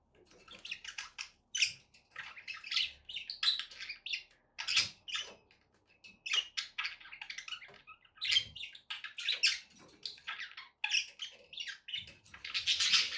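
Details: Pet budgerigars keep up continuous, lively chatter: quick chirps, squeaky trills and buzzy warbles rising and falling in short bursts, growing harsher toward the close.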